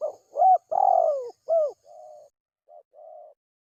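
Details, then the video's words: Spotted dove lure call, used to attract wild doves: soft, low coos in a short irregular series, the middle notes longer and louder, with quieter coos trailing off. "suara pikat burung tekukur"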